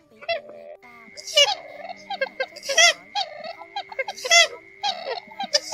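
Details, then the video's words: Purple swamphen lure calls for night net trapping, a single bird apart from the flock: harsh, nasal, stacked squawks in uneven bursts, with steady electronic-like background tones throughout. "Tiếng Trích Cồ Khúc Kêu Hay Nhất 1 Con Lẻ Bầy"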